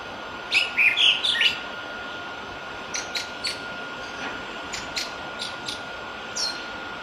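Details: Wild Island thrush giving one brief burst of warbled, chirping whistles, followed by several faint, sharp ticking notes spaced through the rest, above a steady hum.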